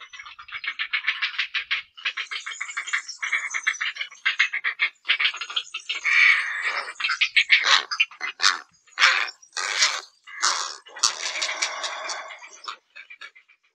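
Grey heron giving harsh, grating squawks in an uneven series, some drawn-out and rasping, others short and clipped, with brief pauses between.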